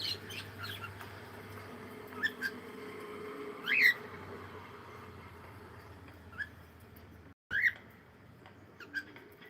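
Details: Cockatiel singing while playing: short, scattered whistled chirps around a steady mid pitch, some rising, spaced a few seconds apart over a low background hum.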